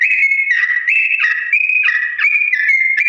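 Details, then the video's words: Sooty-headed bulbul singing a long, slow ropel-style song, a recording meant to help other birds learn to imitate: clear whistled notes that step between higher and lower pitches in an unbroken flowing run, with no other sounds. "TRUCUK GACOR ROPEL PANJANG NADA PELAN ‼️ UNTUK BURUNG TRUCUK CEPAT MENIRUKAN"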